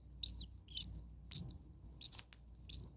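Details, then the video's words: Starling nestlings, very hot, second day at nest 2 while the mother stays close; sharp, buzzy, high-pitched calls repeated about every half second, each burst brief and rising then falling, quiet hum beneath. "Starling baby birds very hot. Day 2 Nest 2. Mama bird was close by making some noises."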